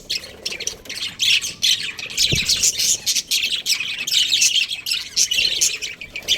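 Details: A pair of breeding budgies keeps up lively, rasping chirps and warbles throughout. A single soft knock is heard just after two seconds.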